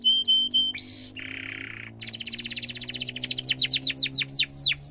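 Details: Canary ngerol song, used to train young canaries: short clipped notes, a rising whistle, a low buzz, then a fast tight roll that breaks into loud sharp downswept chirps.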